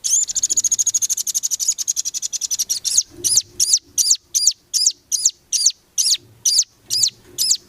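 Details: Velvet-fronted nuthatch training song for competition birds: a long, dense, high buzzy trill that slows into loud, clear piping notes repeated about every half second.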